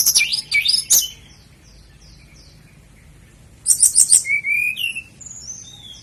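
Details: Sikatan londo flycatcher, tutor song for caged birds: loud high warbling at the start, a soft sequence of short falling notes, a pause, then quick chattering notes and drawn-out whistles.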